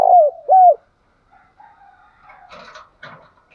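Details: Spotted dove call meant to rouse wild doves fast: two loud, low, arched coo notes open the phrase, then faint softer coos and scattered chirpy sounds in the background.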